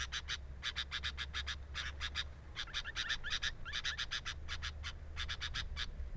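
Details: At a sooty-headed bulbul nest watched by a camera, dense runs of short rasping pulses come in clusters with brief pauses, mixed with faint high twittering notes over a low steady rumble.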